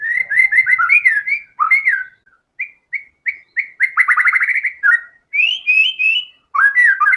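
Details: White-rumped shama in near-continuous song showing all its learned material: varied whistled notes, short separate chirps, a rattling trill and sweeping high phrases follow one another closely.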